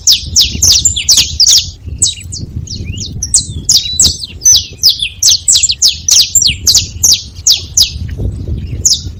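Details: Saffron finches noisy at a feeding spot: a dense, steady stream of high, sharp chirps and short slurred notes, several birds seemingly overlapping, over a soft low-frequency hum.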